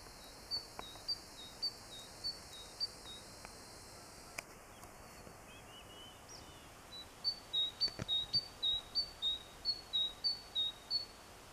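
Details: A tit on 14 April 2021, said to be calling its mate, sings quick runs of thin, high two-note phrases, about three per second, pauses, then resumes louder over soft outdoor hiss.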